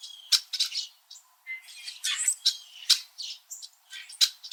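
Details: Red-winged Blackbirds making various sounds in winter from high tree branches in a backyard in Southern Ontario, Canada: overlapping sharp chips, squawky rasping notes and short whistled tones in a busy, irregular chorus.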